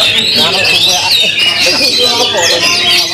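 A white-rumped shama sings loud, unbroken song of rapid chattering notes and bright high whistles, with faint lower sounds underneath.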